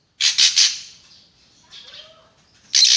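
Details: Drongo calling sharply with three quick harsh rasping bursts. A soft, faint warble follows, then another loud buzzy note at the end.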